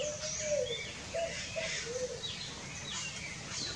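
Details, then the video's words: A pale-vented pigeon (Patagioenas cayennensis) sings low, soft cooing: one drawn-out coo, then three shorter coos about half a second apart, with faint higher chirps of other birds and a steady background hiss. "CANTO da POMBA-GALEGA (PATAGIOENAS CAYENNENSIS), PALE-VENTED PIGEON"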